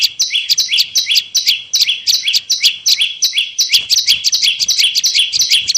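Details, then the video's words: Bar-winged prinia, used for luring prinias: steady, energetic sequence of high twin-toned chirps, repeated close together throughout with little pause. "Suara pikat burung prenjak lumut bawah"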